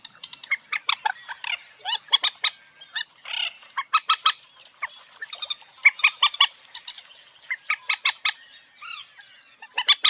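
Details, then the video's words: Common moorhen calling repeatedly over ten seconds: loud, harsh, sharp-edged notes in irregular clusters, with some brief squawky and honking sounds between. "জল মুরগি পাখির ডাক(moorhen bird shound)"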